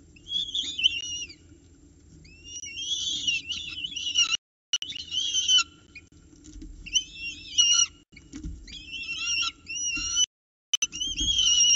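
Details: Peregrine falcon young in their Orange nest box on 29 October 2018 at morning feeding time, competing for prey as a parent begins feeding: bursts of shrill, wavering whistled cries, separated by short pauses and brief silences.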